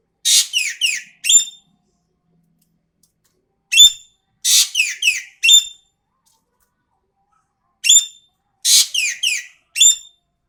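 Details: Lively song of an Asian pied starling, phrases recurring about every four seconds: a rasping harsh burst, quick descending whistled slurs, and a clear high whistle, with silence between phrases.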